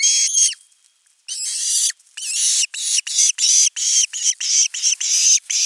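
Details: Osprey at a nest camera, 10 August 2021, crying long for fish until a whole fish is delivered: rapid, rasping, high screeching notes run almost continuously after a short pause, about three per second.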